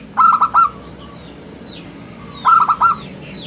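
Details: Local zebra dove in full song, its round, crystal voice used to lure and tutor other birds: two crisp bursts of three clipped, ringing cooing notes about two seconds apart, over a soft low hum.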